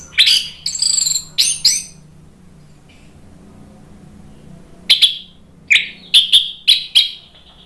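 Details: Loud orange-headed thrush song meant to provoke other songbirds into singing, Indonesia; a quick cluster of rich high whistled notes, a two-second pause, then a steady series of clear, sharp whistled notes.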